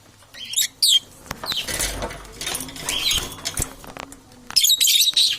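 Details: Parrots competing for survival, harsh broadband squawks and screeches in bursts, some with bright upper tones, separated by short pauses with clicks and rustling.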